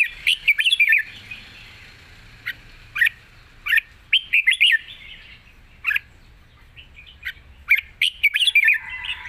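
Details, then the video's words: Long, flourished song of a red-whiskered bulbul that sings readily: an opening rush of bright whistled notes, then single and paired chirps every second or so, ending in another quick warbled cluster. "ปากเบา+ร้องง่าย เพลงยาวมีริก #นกกรงหัวจุก"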